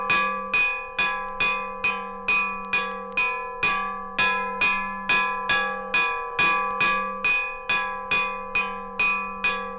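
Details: A bell is struck at an even pace about twice a second, each ringing tone fading before the next, with no animal present.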